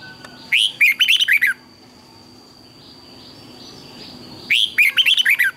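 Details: Red-whiskered bulbul singing in the morning, used as a tutor voice for training other bulbuls, with twisted double notes: two bright warbled phrases of five or six rapid rising-falling notes, about four seconds apart, over a faint steady high whine.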